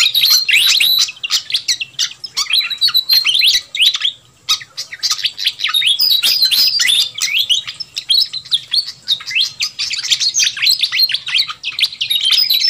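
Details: A fantail gives noisy, busy, high chattering of sharp chirps and squeaky notes, dense and nearly nonstop with brief pauses; the recording is used as a lure to attract wild fantails.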